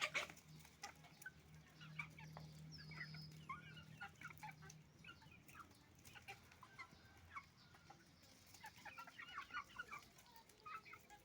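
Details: Many roosters and hens on a chicken farm noisily eating rice; scattered clucks and short cackles overlap throughout, with clicking pecks, a low hum early on and one drawn-out higher squawk.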